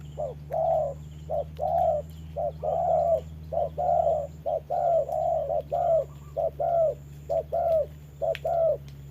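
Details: Trapping decoy spotted dove calling at a wild dove in the rain: quick, uneven series of soft hooting coos, short and long notes mixed and sometimes overlapping, with a steady low drone and occasional sharp clicks.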